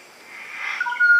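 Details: Malaya black magpie, known locally as takar kambing: a brief phrase that swells from a soft hiss into clear, steady whistled tones, with a high ringing note and a lower pure note held together at the end.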